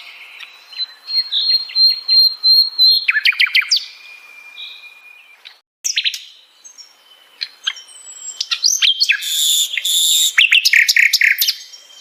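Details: Sikatan londo flycatcher singing at length: a steady high whistled tone with clicks underneath, a brief pause, then loud bursts of harsh rattling and chirping notes mixed with rapid high trills.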